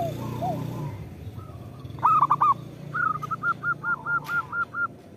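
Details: Zebra dove cooing, a local bird used as a lure. Soft low coos open, then a loud rapid burst, followed by an even string of about eight short, sharp coo notes.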